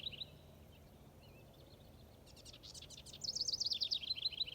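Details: Warbler singing in Wisconsin: a fast, high, bubbling warble, a few thin notes at first and then a rapid run of rippling phrases, with faint background hiss; identified as garden warbler.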